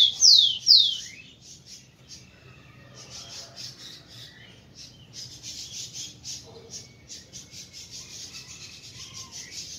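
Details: Rufous-collared sparrow singing to stimulate females: two loud, high, downward-slurred whistles, then a long run of buzzy, rasping pulses repeated at an uneven pace.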